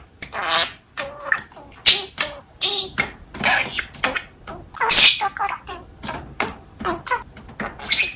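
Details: A pet budgerigar sings what the owner calls its "poo song", with rhyming words: a rapid, scratchy warble that mixes clicks and squeaky mimicked syllables.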